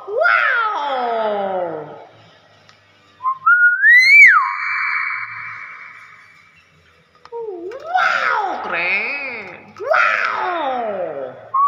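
A hill myna mimics speech in rich, voice-like wavering phrases broken by one loud, clear, rising whistle, with pauses between outbursts.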